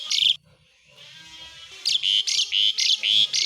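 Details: Gacor Asian pied starling: one raspy note, a quiet gap, then a rapid run of loud, harsh buzzy bursts in the besetan style, each chunk repeated in a steady chatter.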